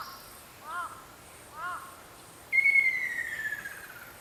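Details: Ruddy kingfisher calling unseen near a house: a loud whistled, rolling trill that slowly descends in pitch and fades, after two softer arched notes, over a steady hiss of insects.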